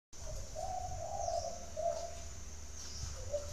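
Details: Spotted dove from a bird garden in Ba Vì, Hanoi, Vietnam; soft, low, rounded cooing notes, a longer coo followed by shorter ones, over quiet low background rumble.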